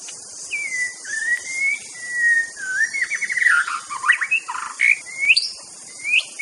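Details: White-rumped shama from Aceh, a master-song recording, giving clear whistled phrases, some slurred and rising, others in quick rolling bursts, over a steady high hiss.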